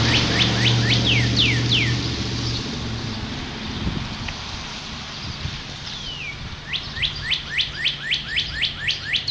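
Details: Northern cardinal song recorded on the first day of spring in 2011. Loud down-slurred whistles open it, a long falling whistle follows after a pause, then a quick series of about ten sharp rising-falling notes over a low background hum.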